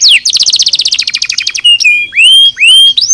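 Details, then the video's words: Canary singing nozes song for training birds: a quick falling note, a fast even run of short repeated notes for over a second, then a level whistle and several upswept, curved whistles. "Som de nozes para treinar mental"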